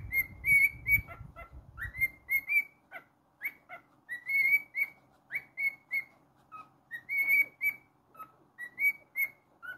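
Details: Pet cockatiel singing a string of clear whistled notes, mostly short rising or flat whistles with a few lower ones, at about two per second. A low rumbling noise comes in the first two seconds.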